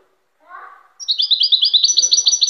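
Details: European goldfinch song: a brief low murmur, then a quick run of bright, tinkling twittered notes, high and rapidly repeated about ten times in a second and a half.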